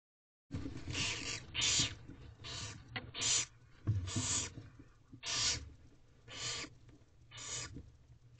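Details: Barn owls in a nest box at 2:05 am on 4/7/23, the female tearing apart a rodent to feed herself and her young; harsh, breathy hissing bursts repeated roughly every second, with soft scraping and rustling between.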